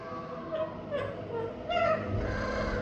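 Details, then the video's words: A pet parrot making intriguing, funny sounds: a run of short, nasal, harmonic honking notes, several rising and falling, spaced roughly half a second apart, over a low background hum. "My Parrot Rudy Making Intriguing And Funny Sounds!"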